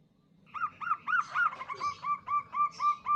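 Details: Female local zebra dove calling to a male, recorded for use as a lure: a quick run of short, clipped cooing notes at a steady mid pitch, about four per second, starting softly and growing louder.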